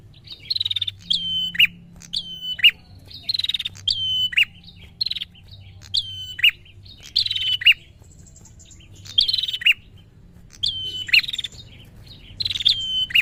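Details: Excited prinia calling to provoke an opponent. Steady series of high whistled notes, each slurring down into an abrupt dropping chip, repeated about every 0.8 seconds with brief buzzy trills between phrases. Quiet low hum throughout.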